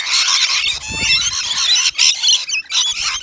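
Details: Rainbow lorikeets at a balcony nectar feeder in Australia; a dense chorus of shrill, grating screeches and chatter from several birds, nearly continuous with short breaks, plus a brief low thump.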